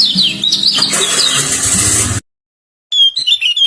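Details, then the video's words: Common iora in a singing contest, a pleci type set against a serkel type, giving high whistled, wavering phrases that rise and fall, broken by a short silence, over steady low hum and background noise. "kecial PLECI VS kecial SERKELL ADU SUARA"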